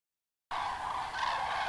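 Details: Thousands of common cranes arriving at dusk on 31 October 2015 to roost in the nearly empty Kelbra reservoir basin during their migration stopover, hazy sunset: after a brief silence, a dense wall of overlapping trumpeting calls.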